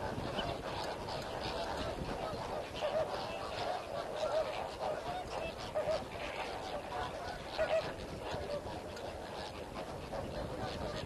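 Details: At Comfort Dam, Kimberley, one of Africa's four breeding grounds, a large colony of mainly lesser flamingos with some greater flamingos gives dense, continuous goose-like honking and gabbling, with nasal honks standing out every second or two.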